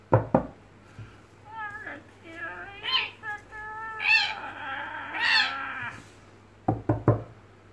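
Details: A 14-year-old Indonesian red lory at play gives a run of nasal, harmonic chatters and squawks, some rising and some sliding, between sharp knocks, with a low electrical hum underneath.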